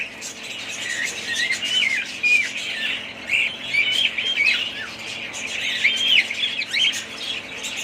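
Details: Several budgerigars warble and chirp together, with curving whistled notes and clipped squawks forming a continuous, lively twitter.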